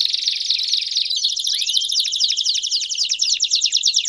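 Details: Several Belgian canaries singing together, used to stimulate another canary to sing: dense overlapping high trills and rolling notes with a few sliding whistles, continuous throughout.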